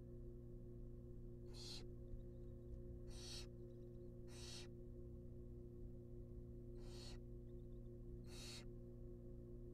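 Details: Barn owl chicks, wild, inside a camera-monitored nest box while a rabbit is brought as food, give five rasping hiss-screeches at uneven intervals of one to three seconds against a constant humming background.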